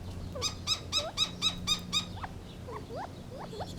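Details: Gambel's quail giving a fast run of seven loud, ringing harmonic notes about four per second, then softer swooping upslurred chirps, over a steady low mechanical hum.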